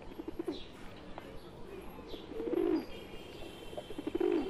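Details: A flock of wild pigeons in India joined by a pet pigeon; two deep burry coos near the end after quieter murmuring, faint chirps in the background.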